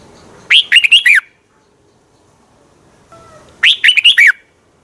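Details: Two matching warbled phrases from a Thai caged Red-whiskered bulbul, each a quick run of five liquid, up-and-down whistled notes, spaced about three seconds apart with quiet between.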